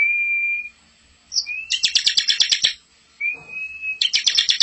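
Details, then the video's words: Bar-winged prinia song used as tutoring material for young birds: a long steady whistle, then a short rising note and a fast rattling trill, repeated once more after a pause. "masteran ciblek super gacor full isian ngerol cocok buat pancing ciblek muda atau bahan"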